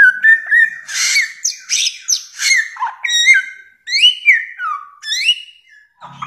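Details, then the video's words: Bare-throated whistler (samyong) song from a long training recording of its many varied sounds: loud, clear whistled phrases near the middle of its range, some sliding up or down, with bright harmonics, given in quick varied bursts and short pauses. "masteran samyong 1001 suara durasi panjang"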